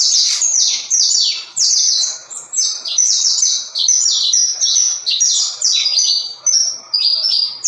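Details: Canary, a Brazilian canário-da-terra, singing fast bright trilled and whistled phrases, each a rapid run of high chirps, with brief gaps between bursts and no other clear sounds.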